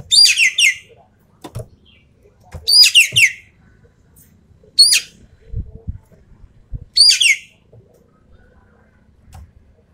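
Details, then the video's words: Javan pied starling in full tembakan song: short raspy bursts of two or three high, falling notes, repeated about every two to three seconds, with soft clicks and knocks between. "BURUNG EKEK KELING SUARA FULL TEMBAKAN"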